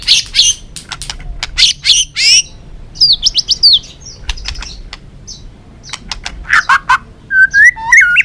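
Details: White-rumped shama of the balak 6 type, recorded as a lure for trapping birds: rapid bursts of sharp, buzzy high notes followed by clear whistled slurs, some rising, with short pauses between phrases.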